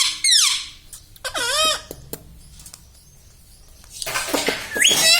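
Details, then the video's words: Talking pet parrot at home, known for saying mummy, papa and radhe radhe; two sharp squawky phrases early on, a quieter gap, then a harsh noisy burst ending in a rising shriek. "parrot talking everything"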